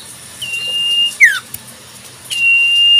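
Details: Common iora in the wild sounding a sustained high whistle that breaks into a short descending slur, followed by another long level whistle; low background hum.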